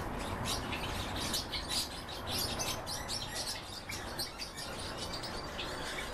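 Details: Song of a goldfinch crossed with a canary: a busy, unbroken stream of thin twittering chirps, dry rattles and brief whistles, backed by a constant low rumble.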